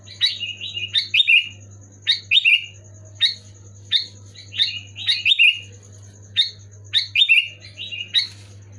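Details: Loud, clear Sooty-headed bulbul song used to spur reluctant caged bulbuls into singing. Rapid clusters of two to three liquid, descending whistled notes repeat in quick bursts, with a constant low electrical hum underneath.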